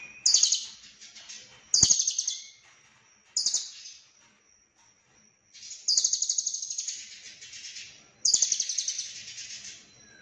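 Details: Konslet lovebird song filled with cililin phrases: short rattling bursts separated by gaps, then two longer fast pulsed trills, with a faint thin whistle running between them.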